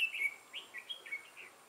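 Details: Red-whiskered bulbul decoy for trapping, with a lân-type crest and dark bib, 6 November 2018: a brief rapid string of clear sweet whistled and warbled notes, with no other sound.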